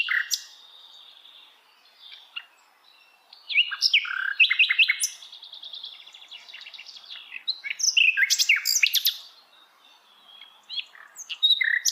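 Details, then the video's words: Sikatan Londo flycatcher in wild forest pours out a long, varied song. It mixes sharp chirps, whistled slurs and fast buzzy trills, with short pauses between the phrases. "kicauan Sikatan Londo Dialam Hutan Liar"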